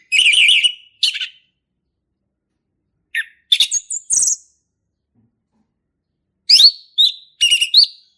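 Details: A male orange-headed thrush in a forest gives ngeplong-style song in scattered bursts. Sharp whistled and buzzy notes come in clusters, separated by long silences of about two seconds.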